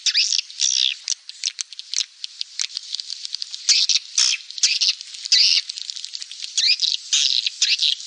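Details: Lure recording of swiftlet calls meant to draw swiftlets in: continuous high, scratchy twittering and clicking trills, dense overlapping chirps with brief pauses, rattling rhythm throughout.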